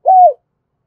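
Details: Single smooth spotted dove coo, used as a lure for trapping, rising slightly then falling away, lasting about a third of a second against silence.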